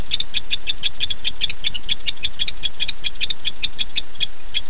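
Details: Nest-camera recording of a male barn owl summoning his mate after dark, 9-8-15: steady run of crisp, high-pitched ticks repeated quickly and unevenly, set against faint low rumbling hum.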